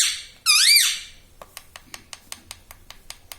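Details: Pet talking parrot indoors: one loud, harsh, wavering squawk with rich harmonics, followed by a series of soft clicks repeated about every fifth of a second.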